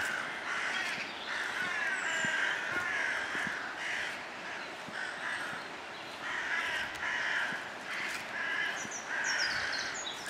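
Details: Crows cawing together, harsh raspy caws overlapping in dense bursts that swell and fade across the clip, with a few thin high squeaks and scattered sharp clicks in the background.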